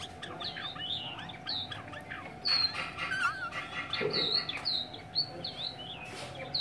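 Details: A Chinese hwamei recorded in Hanoi pours out a continuous medley of bright whistled slurs and chattering notes, with a couple of brief thumps or handling noises and a low electrical hum throughout.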